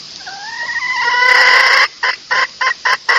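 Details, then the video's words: Female red junglefowl call meant to lure males: a drawn-out, slowly rising, strained note swelling in loudness, followed by five short, clipped clucks at even intervals. "suara pikat ayam hutan betina"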